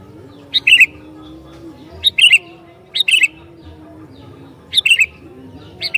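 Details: Sooty-headed bulbul song meant to provoke rival bulbuls, five lively warbled phrases at uneven gaps of one to two seconds, over a low steady droning background.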